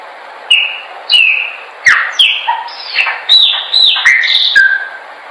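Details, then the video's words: Chopi blackbird singing, meant for training birds. Varied phrase of loud whistles, some falling and some level, delivered at irregular intervals of under a second. "melhor pássaro preto/cantando para treinamento."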